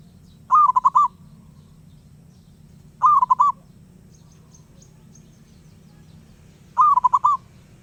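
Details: Wild zebra dove singing persistently, three separate phrases of staccato, pulsing coos, each lasting half a second, repeated every few seconds against a faint low hum.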